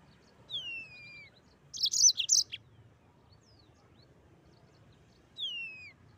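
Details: Mozambique canary: a thin descending whistle, a short cluster of bright high chirps, long quiet, then another falling whistled slur.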